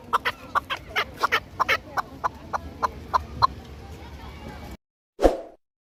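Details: Chukar partridge kept for hunting and fighting gives a loose series of short, sharp clucks for nearly five seconds, then silence broken by a single dull knock.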